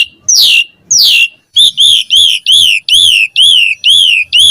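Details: Asian pied starling opening with two loud downward-sweeping whistles, then a steady repeated arched whistle given about three times a second.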